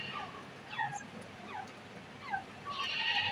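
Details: Grey francolin in breeding season calling: a few sharp, descending whistled notes spaced roughly half a second apart, with a brief burst of higher hissy sound near the end over faint low background rumble.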